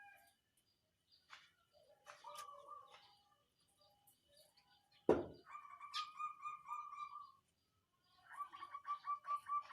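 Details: Local zebra dove of the songgo ratu singing style, kept as a lure to rouse rival birds and prompt lazy birds to sing; quiet clicks and a sharp knock, then drawn-out, trilled cooing phrases on a steady low pitch.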